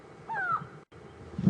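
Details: Grey go-away bird giving an alarm call at Djuma Game Reserve during a morning safari drive on 31 March 2015: one short nasal note sliding downward, then low rumbling background noise.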